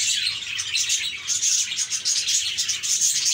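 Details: Happy parakeets chirping together, calls for lifting the spirits of pet budgies; bright continuous twittering with repeated short high whistled notes, several birds overlapping.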